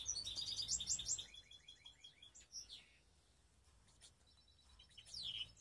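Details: Hybrid baster canary from Skopje singing a mixed song: a fast high rolled trill with sharp chirps opens, then the bird falls quiet apart from faint notes, before a downward-sliding whistle returns at the end.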